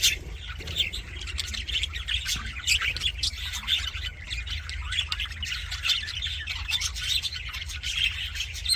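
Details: Happy budgies chatter nonstop in an aviary, many overlapping high chirps, squeaks and short harsh squawks layered into a busy warbling stream above a constant low background hum.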